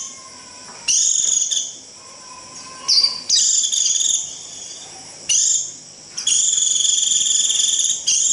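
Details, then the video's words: Long, high, buzzy trills from a Japanese white-eye in the shrill 'rít' style meant to gather the flock, given in bursts between quiet gaps, with faint, soft lower whistles behind. "Tiếng chim vành khuyên rít √ siêu gọi bầy cực kỳ nhậy gọi là về"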